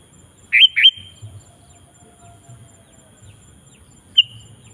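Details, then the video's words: Kutilang in full voice used to draw wild bulbuls into song: two quick upswept whistled notes, a long quiet stretch with low murmuring background, then one more short high whistle. "Suara Burung KUTILANG GACOR Memanggil Kutilang Liar Ikut Gacor"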